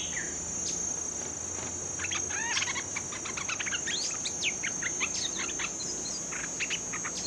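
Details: Newly caught bulbul under training sings rapid chirping, tweeting phrases of short notes repeated through the recording, with a constant high-pitched insect hum behind.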